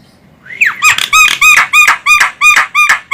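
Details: Female Javan myna, an Indonesian bird whose call serves to lure other birds: a rising squeal followed by a steady run of about nine harsh, ringing squawks, roughly three per second, loud and close.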